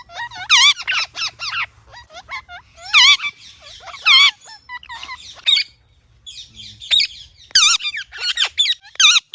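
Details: Ringneck parrot chattering in a busy run of loud, twisting, high squawks and chirps, bunched in bursts with short pauses, heard against a faint low hum.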